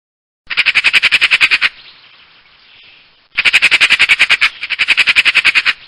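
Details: Magpie rattling loudly in rapid, coarse bursts: one run of about a dozen notes, a pause of roughly one and a half seconds, then two back-to-back bursts of similar harsh, staccato chatter.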